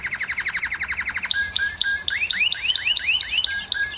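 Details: ['Canary singing to stir hens into breeding, a quick pulsed trill of repeated notes followed by separate rising whistled slurs and sharp chips, about four per second.']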